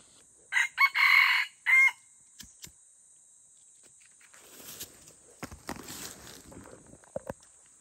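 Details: Red junglefowl in the forest, giving a short, harsh, broken crow of about four quick segments over one and a half seconds, followed by soft rustling and scattered knocks in quiet surroundings.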